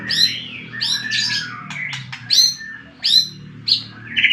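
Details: White-rumped shama song meant to agitate rival birds: loud mixed phrases of sliding whistles, sharp rising notes and short harsh bursts, over a low background hum.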